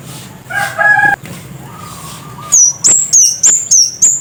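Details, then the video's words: Scarlet-headed flowerpecker, local name cemade kepala merah, giving a brisk series of six shrill, very high ticks after some lower, steadier whistled tones from another bird at the start. "Kicau burung Kemade Kepala Merah "Cit Kersen" Gacor"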